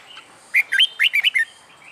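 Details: Caged wild-caught red-whiskered bulbul, a month in a new cage, in training for fighting song: one lively phrase of about seven bright, warbled whistles rising and falling quickly, over a near-silent background.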